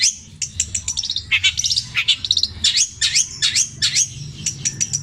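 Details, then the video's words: Long-tailed shrike mimicking other birds: a varied string of very high sharp notes and quick V-shaped whistles, with a low background hum. "CENDET INI MUNTAHKAN TENGKEK BUTO KUNTILANAK GREJA NYERET PETIR KW PANJANG2 DAN DIULANG2!"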